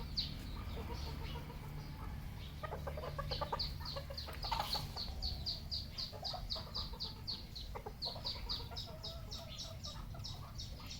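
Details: Red junglefowl kept on an Asian wild chicken farm: long chorus of high, repeated downward peeps with bursts of lower rapid clucking and a constant low hum.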